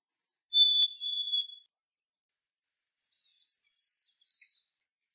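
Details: Male Black-capped Chickadee singing its fee-bee ("hey sweetie") song, two high, pure whistled phrases about three seconds apart mixed with brief buzzy chattering notes. Males sing it mostly in late winter and spring to attract females, signal aggression and defend territory.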